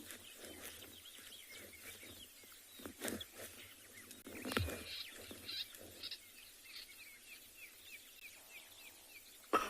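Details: On an early February morning game drive in a South African reserve, a lesser grey shrike calls agitatedly from a distance, perhaps at another shrike, in quick runs of short, scratchy notes, several each second, over a low vehicle rumble and occasional knocks.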